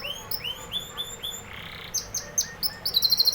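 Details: Singing canary delivering repeated rising whistled notes at a steady pace, then sharper clipped chips and a quick high rattling trill at the end.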